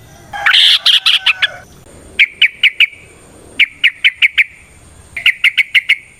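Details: Sooty-headed bulbul song in a rapid, varied ropel style with nrotok and ngecuplik passages, played as a lure to get other bulbuls singing: a harsh chattering burst, then three short series of four to six sharp repeated chirps.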